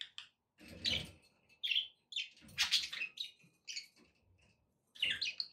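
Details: Budgerigars chirping and chattering as company for a pet parrot: quieter scratchy warbles and sharp chirps in uneven bursts, with some low thumping noise under a few of the notes.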